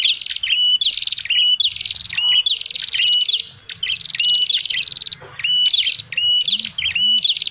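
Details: Prinia, locally called prenjak kepala merah, in a noisy call recording used as a lure to attract birds: rapid buzzy chattering trills, each closing with a short upturned whistled note, repeated almost without pause, over a faint low hum.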